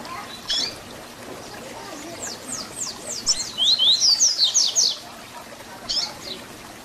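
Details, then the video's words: Papa-capim, the double-collared seedeater, singing the 'Tui Tui Zel Zel' style used to teach young birds: fast series of high down-slurred whistles building into brighter rising notes, with a few faint softer notes before and after. "Papacapim Tui Tui Zel Zel Canto FIBRA para Encarte"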